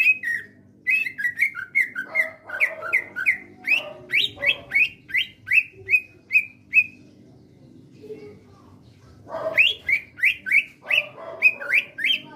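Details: Greater green leafbird, a pet songbird kept at home, singing in a lively gacor style: a rapid series of loud whistled and slurred notes repeated several times a second, a short pause, then a fresh burst of similar phrases.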